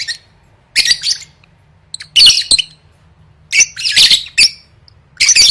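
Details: Lovebird song for competition training: clusters of shrill squawks and twittering chirps, several bursts separated by short silences, with a faint steady low hum beneath.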